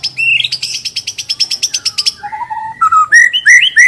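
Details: White-rumped shama lure song for prompting birds to sing: a buzzy rattle lasting about two seconds, then low clear whistles climbing in steps.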